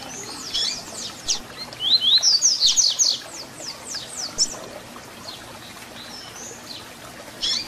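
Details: Double-collared seedeater in the Tui Tui Zel Zel fibra song for training young birds. A fast series of sharp high downswept notes builds into loud rising buzzy whistles, trailing off into scattered faint notes.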